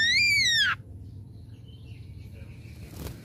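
Ashy drongo giving one loud, ringing whistle that rises briefly then slides down, lasting under a second, followed by faint distant notes and a soft click.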